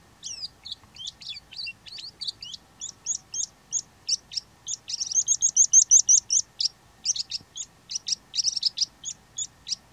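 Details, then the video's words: Calandra lark singing in Greece: a long, fast, unbroken stream of high twittering and chirping notes, with rapid trills, scratchy phrases and short repeated motifs, dense and varied throughout, steady in volume with no other clear sounds. "Το τραγούδι της γαλιάντρας / Melanocorypha calandra singing"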